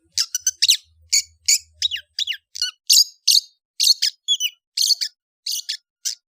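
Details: Long-tailed shrike, known locally as cendet, in chattering kicau ocehan song: sharp, high chirps and downward-slurred notes in quick, uneven bursts, one roughly every third of a second, over a quiet background.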